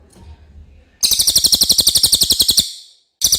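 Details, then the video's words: Clear common iora song suited for tutoring white-rumped shamas: after a low murmur, a loud high-pitched trill of rapid even pulses runs about a second and a half, fades, then restarts abruptly at the end. "suara cililin jernih"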